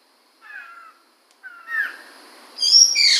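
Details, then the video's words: Chinese hwamei, the poksay mantel or Medan type, recorded in 2021: a short falling whistle, a rising slurred note, then a loud, shrill, high-pitched warbled outburst. "Suara Burung Poksay Mantel atau Medan"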